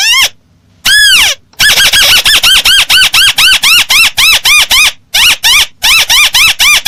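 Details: Clear crake call used to lure birds into traps: two long arched squeals, then a rapid, machine-like run of loud arched squeaky notes, roughly four per second, with short pauses.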